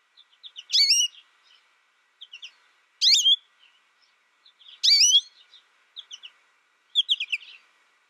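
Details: American goldfinch calling with loud, bright, quickly rising sweeping notes about every two seconds, separated by softer short chirps.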